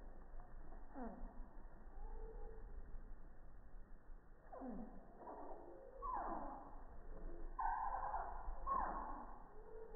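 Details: Hummingbird at a feeder on a quiet morning, recorded by iPhone 6+ from three feet and slowed in 240 FPS slow motion: a series of downward-sweeping chirps spaced a second or two apart, ending in a brighter, denser burst of notes.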